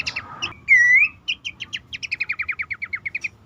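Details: Horsfield's babbler lure call, used to prompt caged birds that are stressed or reluctant to sing. It opens with a few sharp notes and one loud whistled slur, then a steady run of about fifteen quick, evenly spaced chips.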